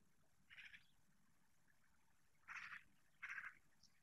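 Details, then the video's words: Long-eared owl young, Spain, 16 July 2024: three breathy, hoarse rasping calls, each about a quarter second, the last two louder and closer together, against near-silent background. "Búho chico (Asio otus) Long-eared Owl 🔴 DIRECTO- Młode Uszatki"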